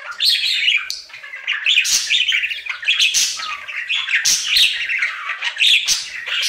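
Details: Pet budgerigar happily singing its daily routine, an unbroken rambling warble of buzzy chirps, squeaks and clicks rising and falling in loudness.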